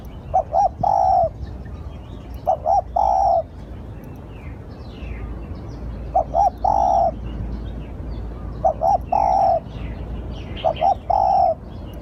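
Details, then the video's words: Spotted dove used as a lure, cooing in repeated three-part phrases, two short notes and one long note, roughly every two seconds across five phrases, with faint chirps of other birds above. "Tiếng chim cu gáy gọi hay / เสียงต่อนกเขาได้ผล100%"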